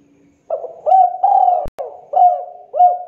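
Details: 'Kuk 2' call of a Spotted dove, recorded clean for luring birds into traps: a short first coo, then a long sustained one, and three rounded hooting notes. A brief click is heard midway.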